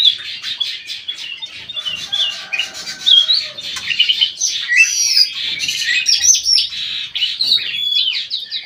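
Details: Very vocal aviary bulbul, described as golden and white-eyed, giving a dense, scratchy warbling song with clear whistled slurs rising and falling, delivered almost without a break.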